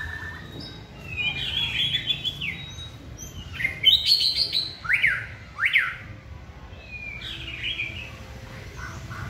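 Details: Trained white-rumped shama pours out a varied song: buzzy warbles early, then a run of loud sharp up-down whistles around the middle, quieter twittering afterward.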